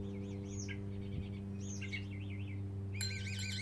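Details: A lone mockingbird in a back yard sings soft wavering whistles that wobble up and down, mixed with short high slurred notes and a brief bright chime near the end, set against a steady low hum.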